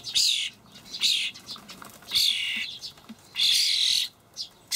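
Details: Young common starlings fed by adults in a Hamburg allotment garden on 28 May 2012. Three main hoarse, hissing screeches with softer short rasps between, spaced about a second or more apart.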